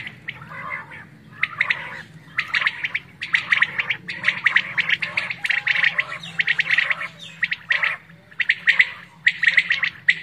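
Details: Quail call used for quail hunting in Pakistan: harsh, rasping bursts of chatter, about one a second in uneven clusters, over a faint low hum.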